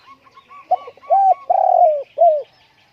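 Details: Spotted dove singing at home during strong wind: a soft short lead-in, then an arched coo, a long drawn-out falling coo and a final shorter arched coo, with faint higher chirps behind.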